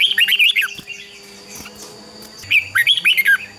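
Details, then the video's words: Red-whiskered bulbul giving competitive song used to train and stir other bulbuls to sing: a rapid run of rich, chattering whistles opens, then a pause of soft chirps and steady whine, then another fast liquid phrase. "Chào mào hót đấu. Chào mào luyện giọng hót hay ép bổi sổ bọng và căng lửa"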